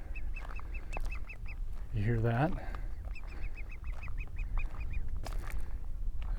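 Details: A bird thought to be a curlew, on a dirt road through green nesting grasslands near Livingston, Montana, gives two bursts of quick, high, clipped notes, about six a second and slightly down-slurred. A man's brief voice falls between them over a low rumble.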